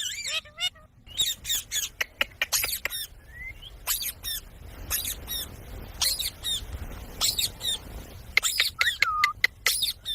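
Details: Ringneck parakeet giving sharp, high screechy calls in rapid clusters, some short whistled rising and falling notes between, with a low background hum throughout.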